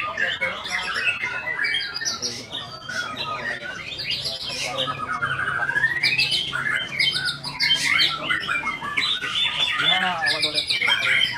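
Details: White-rumped shama (murai batu) in a long, energetic song of mixed whistles, a clear upward-sweeping phrase, rapid trills and harsh chatter, repeated variations about three times a second.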